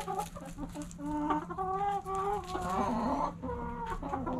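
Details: Backyard hens at morning sunrise: dense, overlapping clucks and drawn-out, wavering cackles from several birds, almost continuous throughout, over a steady low hum.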